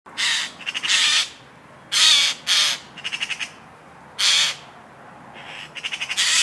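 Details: A magpie's warning call: harsh, hoarse squawks alternating with fast dry rattling chatters, bursts coming every second or so; nothing else is heard.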